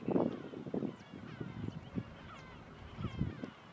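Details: Low, goose-like honks and grunts from a flamingo flock (Phoenicopterus ruber) at Marano Lagunare lagoon, Italy, on 4 April 2024, in overlapping bursts every half second or so, with faint higher, wavering notes above.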